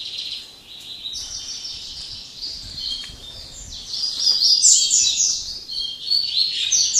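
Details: Late-afternoon song of a Double-collared seedeater that has sung all day: a continuous high twittering stream, softer at first, then louder buzzy trills and bright slurred notes toward the end.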